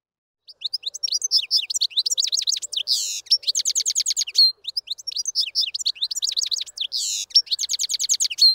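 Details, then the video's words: A European goldfinch sings a fast, tinkling twitter of high chirps, trills and buzzy notes, running almost without pause. "The Goldfinch - Bird Song"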